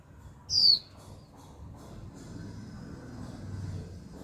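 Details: Young female Japanese white-eye giving its 'chíu' call, used to stimulate males to sing: a single high, sharp whistle sliding downward, lasting about a quarter second, over a steady low background rumble.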